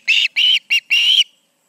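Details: Osprey calling loudly at the Charlo nest with two birds present, evening, August 2019; four piercing whistled notes, the second and fourth drawn out and slightly wavering.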